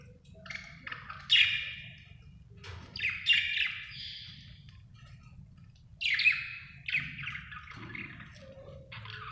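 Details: Budgerigar, described as happy, chirping in scratchy, buzzy bursts with quick rising and falling notes, grouped into short phrases separated by brief quiet gaps.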